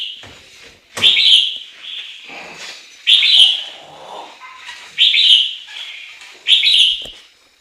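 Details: Loud, full whistled phrases from a Chinese hwamei about every two seconds, with softer warbled notes filling the gaps between phrases.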